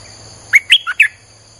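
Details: Streak-eared bulbul singing, a recording meant to lure wild birds; one brisk phrase of four bright chirps, the third lower, spread over half a second, over a faint steady high hum.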